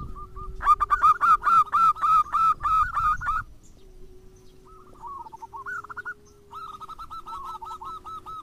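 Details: Zebra dove song, local and crossbred birds, used to prompt other doves to sing: a loud run of rhythmic ringing coos for about three seconds, then softer, wavering coo phrases over a steady low hum.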